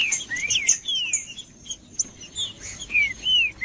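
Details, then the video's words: Green-winged saltator singing 'macheando' style to warm up other birds: clear descending whistles and rising slurs, about two or three notes per second, a brief pause near the middle, and a faint thin high tone behind. "Trinca ferro cantando Para Esquentar Trinca ferro"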